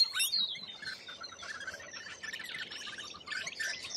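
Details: Australian lorikeets calling more sparsely: scattered thin shrill chirps and scratchy twitters, one drawn-out high whistle early on, softer than a full flock.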